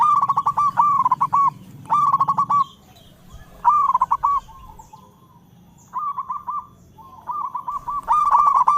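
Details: Local zebra dove singing loudly: phrases of fast trilled, bubbling coos, each ending in a held note, repeated in bursts with short pauses, over a low rumble.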